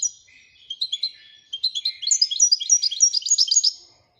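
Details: Singing royal European goldfinch: a lively stream of high, liquid chirps that speeds up and grows louder into a dense twittering trill before stopping abruptly.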